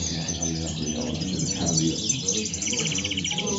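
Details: Goldfinches at El Prat de Llobregat delivering moderna-style song: scattered high chirps building into a quick rattling trill in the final second, with a constant low hum behind.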